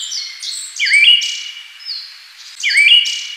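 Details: Two matching whistled phrases from a Siberian thrush, each dipping low and then rising in a step, separated by softer high notes.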